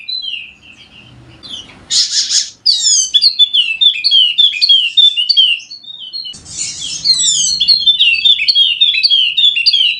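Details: Lure song of a golden-headed Wallacean white-eye from Sumbawa, West Nusa Tenggara: brisk, high-pitched twittering of down-slurred notes, interrupted twice by short broadband hiss bursts, then resuming in an unbroken chatter.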